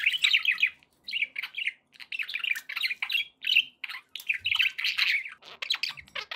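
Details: Happy pet budgies kept indoors, giving continuous scratchy warbling chatter in dense bursts separated by short gaps, with mixed high chirps and squawky notes throughout.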